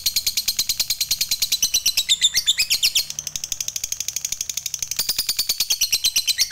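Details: Fighter lovebird in a long ngekek song used to provoke other lovebirds into singing. A continuous, rasping, high trill of quick pulses, with a rougher tangled passage near two seconds and slightly quieter notes later.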